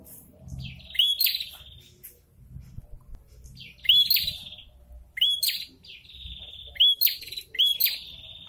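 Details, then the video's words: A red-headed prinia in breeding condition, where a male sings back and forth when a female approaches: short, buzzy, high bursts with a bright rising whistle, repeated every second or two, over a faint low rumble. "PRENJAK KEPALA MERAH SEDANG BIRAHI"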